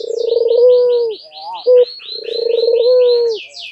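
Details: Two drawn-out rolling coos from a white dove in breeding display, head bobbing, split by a short clipped note, while another small bird keeps up a fast series of high buzzy chirps in the background.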